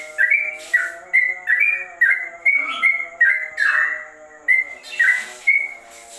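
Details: Trucukan (sooty-headed bulbul) singing ropel, said to sound like a straw-headed bulbul: spaced, clear whistled notes about two a second, a few deeper gurgles, and occasional soft rustling noise in the background.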